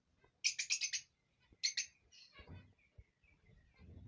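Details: Rosy-faced and Fischer's lovebirds making mating calls for breeding stimulation: two quick clusters of high, squeaky stuttering chirps, followed by softer chatter and low rustling noises.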